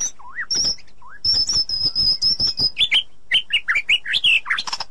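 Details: ['Forest recording of a female white-rumped shama calling the male. Two low rising whistles come first, then a long high thin whistle over ticking notes, then a lively run of varied warbled phrases.']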